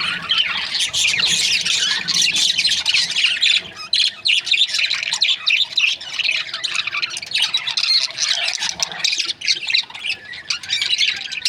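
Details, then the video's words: Budgerigar breeding pairs giving a lively stream of high chirps, twitters and warbled phrases from several birds at once, loud and unbroken, dipping briefly around the middle. "Budgies parrot chirping sound"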